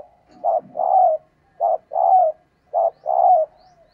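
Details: Female spotted dove calling to excite males: three regular pairs of a short hoot and a longer wavering coo, roughly one pair per second and a quarter.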